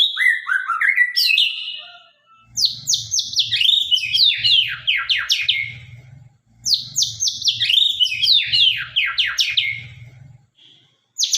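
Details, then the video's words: Sharp-voiced captive white-rumped shama from the Sabang line singing gacor: clear falling whistles, then two long bursts of fast steep sweeping notes separated by short silences, over a soft low hum. "murai batu gacor murai sabang suara tajam"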